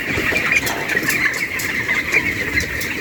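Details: Many broiler white chicks peeping together on a farm, an unbroken wash of thin high chirps with faint clicks and rustles underneath.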